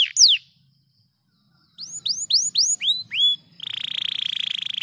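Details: Canary singing a single descending sweep, a second of silence, then six curved whistled notes and a sustained buzzy rattle.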